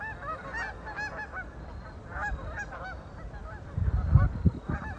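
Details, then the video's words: Ducks on a lake give scattered nasal honking calls, several birds overlapping, followed near the end by a burst of louder low thumping noise. "Ducks on a lake for relaxing sound"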